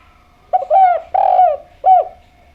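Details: Spotted dove song phrase: a quick double note, a longer swelling coo, and a closing short downward-curving coo, mellow and clear.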